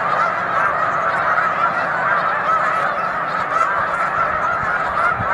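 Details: Big flock of Snow Geese on Cayuga Lake, afternoon in March; loud continuous honking from many birds, dense nasal calls overlapping, with a few louder clicks and yelps near the end.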